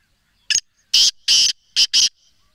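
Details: Sindh, Pakistan recording of a black francolin: a grating rhythmic call of five notes, with a short opener, two drawn-out rasps and a quick closing pair, and no other sounds.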